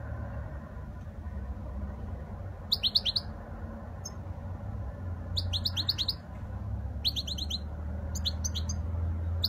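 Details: Spanish goldfinch delivering a flawless song in short bursts: sharp, bright chirped phrases of three to five high notes, repeated after pauses of a second or two, with steady low background noise.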